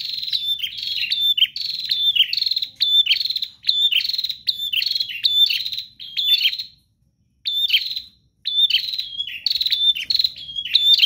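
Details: Vigorous 'gacor' prinia song: long runs of quick, high, buzzy down-slurred chirps, nearly continuous apart from one short break near the middle.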